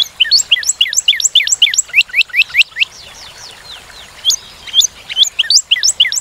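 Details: Northern cardinal singing quick rising whistled notes repeated in a steady run, a short quieter gap, then another burst of the same sharp slurred notes.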